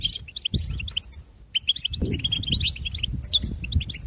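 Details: Goldfinch singing a fast, tinkling run of high twittered and buzzy notes in two bursts split by a short pause, over a low rumbling background.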